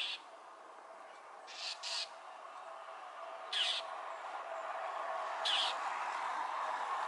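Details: Northern mockingbird protesting a Cooper's hawk perched on a power pole in Newbury Park, flying into it to knock it off. Several short rasping squawks, some paired, spaced irregularly under a rising low rumble.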